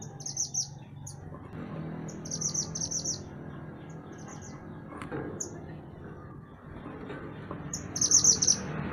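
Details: {'_': 'Mantenan gunung songbird singing for use as training song for caged songbirds: short high chattering bursts repeated at intervals of a few seconds over a constant low hiss and rumble.'}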